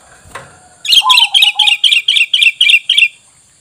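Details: Sooty-headed bulbul calling for luring wild birds: a fast, even string of nine crisp high chirps, roughly three per second, with a brief low falling whistle underneath at the start and a faint knock beforehand.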